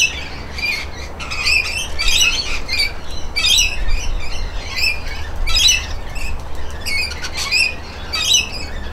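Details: Bathing rainbow lorikeets giving short screechy squawks in clusters about every second, mixed with chattering and possible wing flapping over a constant low hum.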